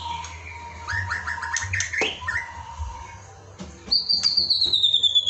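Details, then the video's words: Shama (white-rumped) song for singing practice: scattered whistled phrases and a sharp downward sweep, then a long high trill that slowly falls in pitch, over a soft steady hum. "Pancingan untuk latihan berkicau murai batu"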